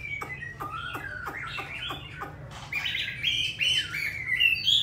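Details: Caged Hwamei from Hanoi, Vietnam, with a wild-type 'giọng rừng' voice that sings often: a run of quick downward-slurred notes, then brighter sustained whistled phrases climbing higher and growing louder toward the end.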